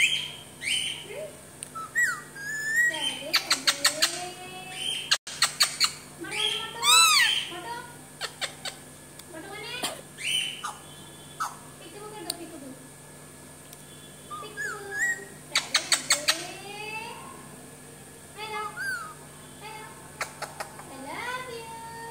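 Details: Alexandrine parakeet (Psittacula eupatria), talking.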